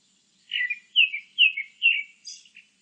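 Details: Grey-backed thrush singing: three loud, clear whistled notes, each sliding downward, delivered in quick succession, then a thin, squeaky high-pitched flourish to close the phrase. Quiet background, no other sounds.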